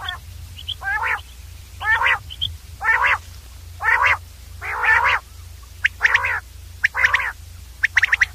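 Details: Common Quail recording dominated by harsh, nasal, buzzy bursts repeated roughly once a second, ending with a few sharper clipped notes, over a faint low hum.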